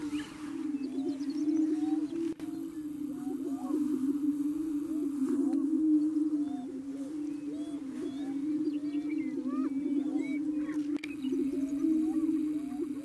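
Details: Lek chorus of greater prairie chickens on a Colorado ranch near Wray in April, more than 35 males and females present, males dancing and booming to court females; a steady low moaning hum with scattered rising whoops and clucks throughout.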